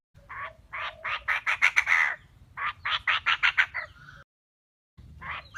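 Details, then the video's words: Female Chinese francolin calling as a trapping lure: two bursts of rapid, grating notes, then silence and a faint resumption, with low background hum. "Tiếng chim đa đa mái 2023 |dành cho anh em đi bẫy|"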